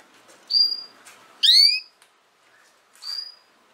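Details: A female canary alternates level whistled notes with one loud, ringing, down-slurred chirp. A softer whistle follows, all within a few seconds.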